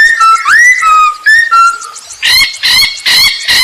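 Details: Masked laughingthrush singing as a lure to get other birds singing: clear level and rising whistles, then loud harsh rhythmic bursts repeated about every half second.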